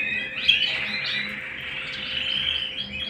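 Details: Singing canary indoors at home, a continuous high twittering warble of quick chirps and buzzy trills flowing without pause, with a low electrical hum in the background.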